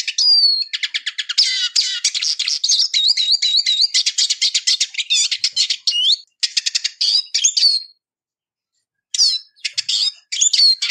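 A Eurasian siskin sings a fast, high twittering song of rapid chattering notes, looping whistles and wheezy rising slurs, with brief pauses between bursts.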